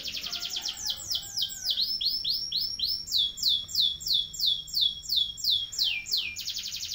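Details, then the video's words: Canary in long-duration rolling song meant as a tutor for young birds, a steady series of fast down-slurred whistled notes repeated about three per second, ending in a dense rapid trill. "SUARA KENARI NGEROLL DURASI PANJANG"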